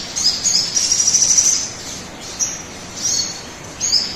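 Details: Crimson sunbird singing, used to get other birds to sing: a quick, pulsing high trill for over a second, then brief separate high chirps, against background hiss.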